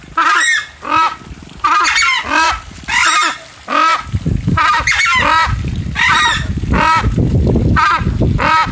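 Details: Southern screamer in a zoo lake enclosure at Poços de Caldas, Brazil, continuing its intruder warning: a series of loud, braying, goose-like honks, roughly one every second, with rumbling low sounds between and a woman talking beneath the later calls.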